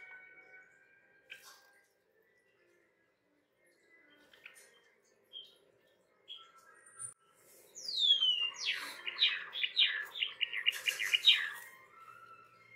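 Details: Pet Java sparrows competing for their owner's hand indoors: one gives a falling whistled note, then a quick run of bright, clipped chirps about four a second, after a few faint chips in a quiet room.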